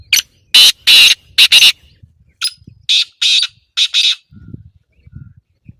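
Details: Black francolin near Islamabad giving a loud, harsh, rasping call: a quick run of four grating notes, then a softer group of five after a short pause, followed by faint low rumbling.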